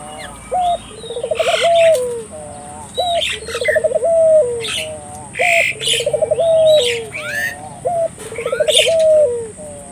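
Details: A puter dove calls energetically, meant to get local doves calling too. There is a steady series of throaty coos, each with a fast pulsed middle and a falling tail, about every two and a half seconds. Loud sharp chirps and squawks from other birds break in.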